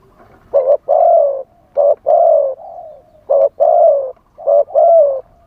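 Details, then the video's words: Spotted dove singing live as a decoy for wild doves, wild-style delivery: short note plus drawn-out coo, repeated in three to four pairs with brief soft trailing tones between. "เสียงต่อนกเขาใหญ่ คารมป่า 100 % ต่อสด"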